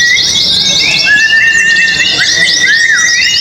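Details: Oriental white-eyes singing in a contest: dense, rapid, high twittering chatter over repeated thin whistled slides, with several birds calling together and steady background noise.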